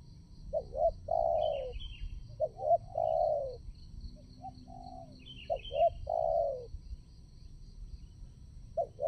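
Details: Spotted dove used as a trapping decoy at a new site to lure wild doves. It repeats phrases of two short clipped notes followed by a long, falling, mellow coo, with steady high insect droning behind.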